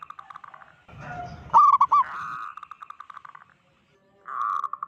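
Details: Local zebra dove with a loud voice, calling to unsettle other zebra doves: soft pulsed cooing, a sudden burst of crisp hooked notes, a smooth drawn-out coo and fading trill, then a fresh loud coo.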